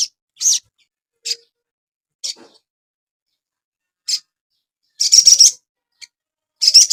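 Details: Crimson sunbird song, played as a master recording to train cage birds, with short high-pitched chirps spaced by pauses, ending in a couple of dense, rapid twittering bursts.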